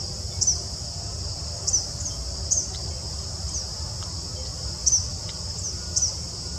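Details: Two Eastern Kingbirds, one lacking a developed tail, at Tommy Thompson Park on August 28, 2020, give short, sharp, high zipping notes every second or two over a steady shrill insect drone and a low background rumble.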